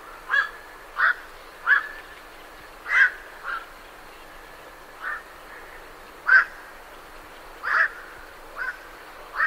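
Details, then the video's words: Harsh, barking croaks from night herons leaving their roost come in quick succession, roughly one every half second to second, some louder and closer than others, with low background hiss. "Night Heron Calls / Night Heron. Calls MCU From Birds Leaving Roost"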